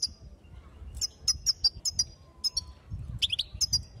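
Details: Female European goldfinch giving calls meant to stir males: bright, high-pitched chirps repeated in quick ragged series, then a brief burst of lower slurred twitters before more thin notes. A faint low hum lies in the background.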